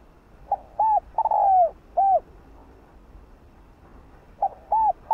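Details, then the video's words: Spotted dove gives soft, low, hollow coos, short arched notes and one longer drawn-out coo, then a pause of about two seconds before more coos; a caged lure bird used to draw wild doves. "Cu gáy GÁY GỌI NHẸ NHÀNG kích bổi,mồi nhanh gáy"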